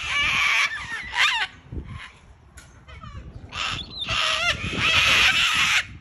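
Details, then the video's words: Several cockatoos at play, a large family of birds, screeching very loudly in harsh, wavering bursts of about a second each, with short quieter gaps between the outbursts. "COCKATOO PLAY DAY 2! 🤣🤣🤣 COCKYS at 100 DECIBELS!! SO LOUD!"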